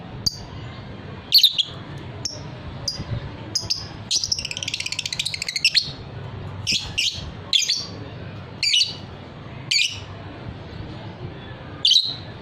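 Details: Fighter-type lovebird giving long ngekek trilling: sharp high chirps, then a rapid buzzy trill of fast repeated pulses lasting about two seconds, followed by more spaced single chirps over a low, steady background hum.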